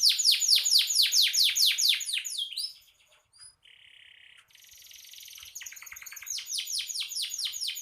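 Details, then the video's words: A canary sings vigorously, the recording serving as tutor song for other songbirds: a steady run of fast, high descending notes, a quieter buzzy stretch with a few thin whistles, then the rapid notes return. "Suara burung kenari gacor"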